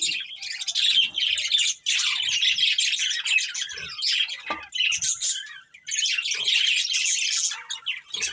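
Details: Budgerigar breeding pair warbling in long, dense runs of scratchy chirps and squeaks, separated by brief quieter breaks.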